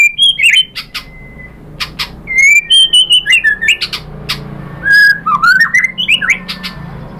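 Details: White-rumped shama song used as a lure to draw answers from other shamas: loud varied whistled phrases, sliding notes and sharp clicks in bursts with short pauses between.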